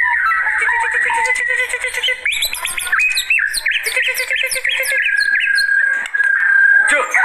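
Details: Agitated white-rumped shama in full song, used as a lure and tutor recording: rich whistled notes, fast repeated upslurred chips, a sustained steady whistle, and a final quick falling flourish.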